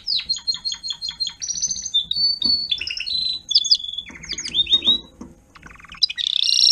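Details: Timbrado canary tutor teaching young birds to sing: evenly spaced repeated notes, then whistles, rising slides and short rattles, a quiet gap, and a final buzzy burst, faint low hum beneath.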